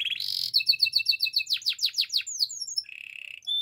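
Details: Training song of a Gloster canary: a buzzy opening note, a quick chain of bright chips, several falling swoops, then a lower buzzy roll ending in a short note.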